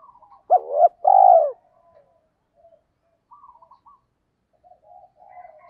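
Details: Spotted dove song of the kích bổi type, edited compilation: one short rising-falling hoot followed by a longer rolling coo, then quiet with faint soft murmurs.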